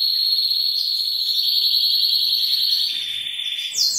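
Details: Male canary song meant to excite a female into mating: a sustained high whistled trill that holds steady, then drops slightly in pitch and fades, ending in a short sharp higher note.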